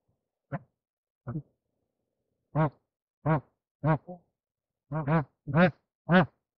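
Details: Bar-headed goose (Anser indicus) during mating gives about eight short, nasal, low honks at an uneven pace, some singly and some in quick pairs.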